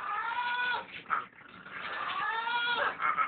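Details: Pet blue-and-yellow macaw snoring at night while asleep: two drawn-out, nasal, harmonic bleat-like breaths of about a second each with a short pause between, plus brief squeaky bursts at the ends.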